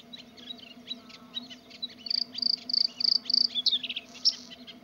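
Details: Bluethroat song opening with soft, varied chirps, then a louder series of ringing, evenly repeated high notes in quick succession, ending with a buzzy flourish; a constant low hum underneath.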